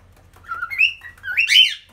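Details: Pet cockatiel singing while perched on a fridge indoors; two warbled whistled phrases that rise and fall, the second higher and buzzier, over a low steady hum.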